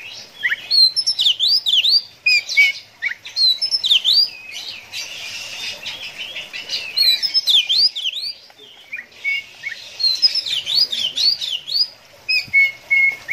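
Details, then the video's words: Oriental magpie-robin singing in the konslet ngeplay adu mekanik style, used for stimulating kept birds to sing: a continuous rush of high, sharp whistled sweeps and chips, rising and falling quickly, with brief pauses between bursts. "KACER KONSLET NGEPLAY ADU MEKANIK"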